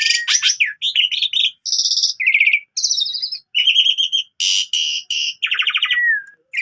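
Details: Morning song of an Asian pied starling, richly filled with mimicked phrases: sharp rising whistles, harsh buzzy blocks, trilled notes and a long clear slurred whistle near the end, delivered in rapid varied bursts.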